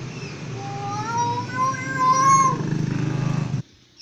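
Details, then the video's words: Pet common hill myna mimics the Islamic call to prayer (adzan) in a drawn-out, wavering, chant-like voice that rises and falls for over three seconds, over a low rumbling hum. "Burung Beo Bicara : Menirukan suara Adzan"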